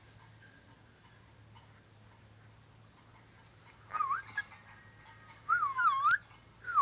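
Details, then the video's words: Ornate lorikeet, a Sulawesi bird learning to whistle, gives a few wavering, looping mid-pitched whistles in short bursts near the end, over a quiet background hum. "Nuri dora sulawesi belajar bersiul"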